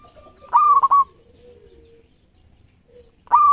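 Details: Lively local zebra dove, 13 tail feathers: one full coo, a resonant note broken into rapid stuttering pulses, then a long soft hum and the start of the next phrase.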